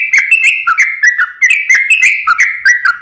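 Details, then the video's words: Sooty-headed bulbul singing actively, used as a lure to prompt lazy or stressed birds to sing: bubbly whistled notes rising and falling, with quick sharp clicks, repeated about every third of a second. "pancingan suara burung trucukan gacor"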